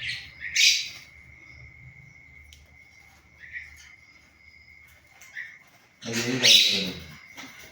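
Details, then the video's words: A pet myna being coaxed by its owner to say "Allah" gives harsh, chattering bursts, then a louder, speech-like phrase near the end, over a steady high whine. "শালিক পাখি মানুষের ভাষায় কথা বলে"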